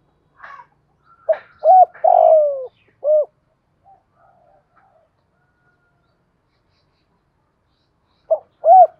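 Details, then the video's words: Spotted dove cooing in the 'thổ pha đồng' voice, intended to make other doves answer. After some faint higher chirps, one four-note phrase with a long descending rolling croon, then silence and the start of another phrase. "cu gáy giọng thổ pha đồng, thúc + gáy gọi. tiếng gáy kích bổi hiệu quả"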